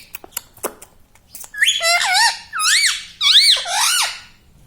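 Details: Pet parrot saying "mummy papa". Soft clicks lead into three loud, drawn-out phrases of arching, voice-like tones, each about half a second to a second long.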